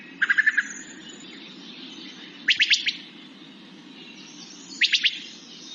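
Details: A Wood Thrush gives its bubbly, non-flute-like call, heard late in the evening when alarmed or getting ready for bed: three quick bursts of rapid pit-pit-pit notes a few seconds apart, over a soft background hum.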